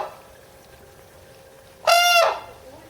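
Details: A red-crowned crane at Higashiyama Zoo, Japan, June 2010, gives a single loud, harmonically rich trumpeting call lasting about half a second, slightly falling at the end, against a quiet background hiss.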